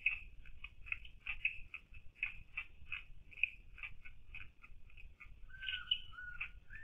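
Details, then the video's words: Bird known in Rangkasbitung as burung Bombok leweh, said to call often around midnight; a quiet, steady series of short clipped notes, about two to three per second, with a lower drawn-out whistled note near the end over faint low rumble. "(suara burung) kalo di Rangkasbitung itu namanya burung Bombok leweh, sering bunyi tiap tengah malam"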